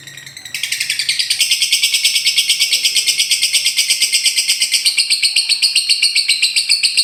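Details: Lovebird in the long, rapid ngekek chatter, played to prompt silent caged birds to sing: a dense, buzzy stream of fast pulsed notes held steadily for about six seconds.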